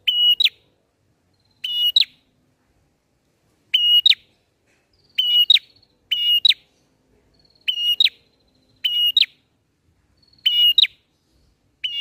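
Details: Bar-winged prinia song for luring birds in trapping: a flat high whistle ending in a quick upward flick, repeated about every one to two seconds, sometimes doubled, with faint thin tones between.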